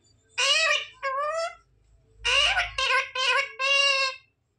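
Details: Talking parrot copying words such as "mummy papa": a short pair of raspy, squeaky imitated syllables, then four more choppy word-like bursts, indoors with a faint low hum.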